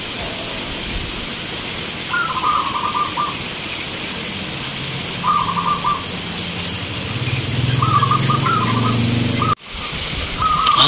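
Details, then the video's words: Local zebra dove contest singing in Grabag, Magelang, Indonesia. Burbling trilled coo phrases recur irregularly, some clipped short, others rolling. A low engine-like drone rises midway, followed by an abrupt cut and renewed noise. "Perkutut Lokal gacoran Vs irama"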